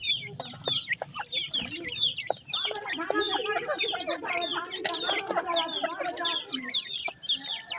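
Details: Young grey francolins, known locally as teetar, peeping continuously: quick high downward-slurred chirps from several chicks, overlapping in a busy chatter, with a brief fuller, harmonic-rich stretch midway.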